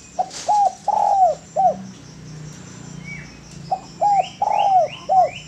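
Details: Spotted dove song used as a master recording for training birds: two phrases of low, hollow coos, each a short note, a hoarse drawn-out coo and a clipped final note, separated by a pause, with faint higher upslurred notes from another bird late.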